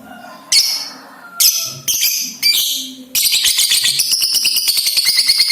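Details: Lovebird sound used to prompt other lovebirds to sing and chatter: sharp isolated squawks, then a rapid, steady run of high buzzy chattering notes.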